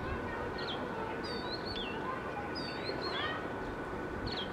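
Oriental magpie-robin singing short, varied whistled phrases with high sweet notes and quick slurs, over steady background hiss and a faint constant hum.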